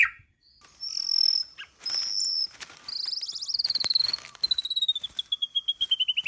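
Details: White-rumped shama singing in the forest-voice style. High, thin sustained whistles give way to a fast trill that slowly falls in pitch, ending in evenly spaced pulses, with a few clicks between.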